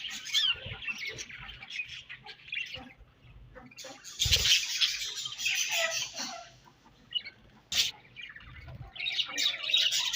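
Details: Budgerigar colony chattering in the morning, bursts of rapid high twittering alternating with brief quieter gaps, plus rushing, flapping noises and a few sharp clicks.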